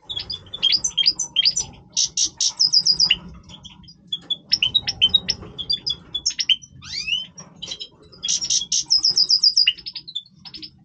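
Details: European goldfinch (Major) singing its breeding song, a busy stream of high chirps, liquid twitters, rattled trills and rising slurred notes, delivered in repeated energetic phrases.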